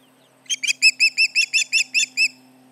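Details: Osprey at the Charlo nest on July 29, 2019, 11:30am MDT, alarming at intruders around the nest: a rapid series of about ten loud, sharp, whistled chirps, each arched in pitch, over roughly two seconds, with a faint steady hum behind.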